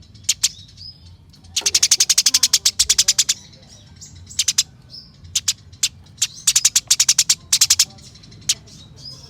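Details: Eurasian tree sparrow in a fighting, rolling chirp display: loud, high, dry chirps in fast trains of up to about twenty, separated by short pauses, with faint softer twitters between bursts.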